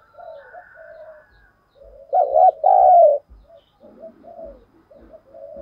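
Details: Spotted dove used as a lure bird, 'thổ sấm' voice, calling to attract wild doves. A loud low cooing phrase stands out midway, with fainter coos and soft dove notes around it and light background noise.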